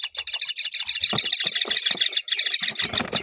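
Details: Myna feeding fig to her young; a dense run of harsh, scratchy chirps, roughly three per second, with a few low thumps and rustles underneath.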